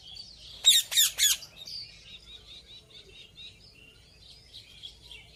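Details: Ringneck parrot giving three loud, harsh squawks in quick succession, followed by softer chattering chirps.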